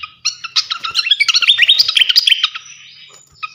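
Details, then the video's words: A champion srikatan kipas flycatcher pours out a dense, fast medley of high twittering notes, sharp slurred whistles and chips, delivered without pause for over two seconds before fading. "gacoan ngeplong masteran asah mental burung jawara khas srikatan kipas"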